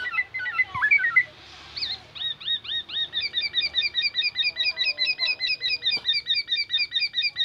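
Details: Mimicking black-naped oriole, copying oriental magpie-robin and an ambulance siren: varied whistled slurs at first, then a long even train of quick, high, hooked notes repeating more than twice per second.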